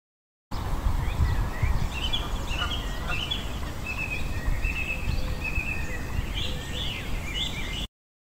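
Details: Song thrush singing: short, clear whistled phrases in the upper range, given in quick succession and varying from one phrase to the next. A strong, steady low rumble like wind or traffic partly masks the song throughout.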